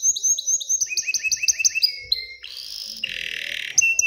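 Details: Song of an aroused canary meant to prompt hens to pair and nest: repeated bright two-part whistled notes in quick series, a short rolled phrase, then a dense, harsh, buzzy trill before a final clear whistle.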